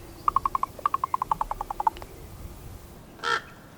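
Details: Female raven communicating with her mate through a long rattling run of about fifteen evenly spaced wooden knocks lasting under two seconds, followed by a short noisy burst.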